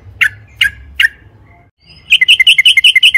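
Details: Sooty-headed bulbul song used to provoke other birds to sing: three spaced sharp notes, a pause, then a quick trill of bright, bubbly whistles.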